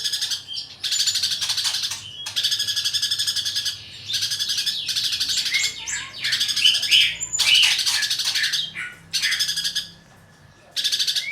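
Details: Greater green leafbird in fighting song for training, rapid chattering phrases of high twittering notes, each burst lasting one to two seconds with short breaks, some clearer whistled slurs mixed in, and a quiet background.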